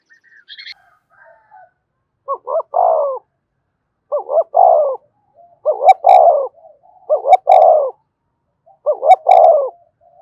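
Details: Spotted dove decoy coos to stimulate a newly caught bird: five repeated phrases, each two quick rising hoots and a long falling note, spaced about every two seconds, with a brief high chirp at the start.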